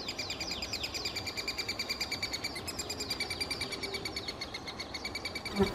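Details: Three-toed woodpecker (Picoides tridactylus) nestlings in a tree hole in Kalinovsky forest park, Yekaterinburg, beg for food nearly all day in a steady, high, buzzy chorus of rapid chirps, about three per second, over low rumble, ending with a knock.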